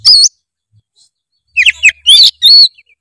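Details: Oriental magpie-robin lure song meant to make a lazy bird sing: a sharp chirp, a pause, then three quick high whistled and warbled phrases.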